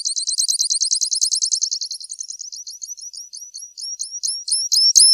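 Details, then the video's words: Grassland yellow finch song beginning as a fast, high-pitched trill of crisp notes that slows into spaced, upslurred whistled chirps, ending with louder separate notes. "Misto Canto - Misto Llamado - Sonido! Cantando! - Grassland Yellow Finch Bird Song - Sicalis Luteola"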